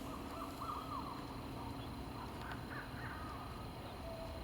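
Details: Barred owl at night, heard during an outing for fireflies, crickets and frogs, giving wavering, siren-like hooting wails that rise and fall in short bursts, over a steady night drone of insects.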